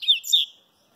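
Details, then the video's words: Papa-capim baiano (Sooretama seedeater) while sunbathing, giving two short, high chirped notes in quick succession before silence. "papa capim baiano tomando banho de sol"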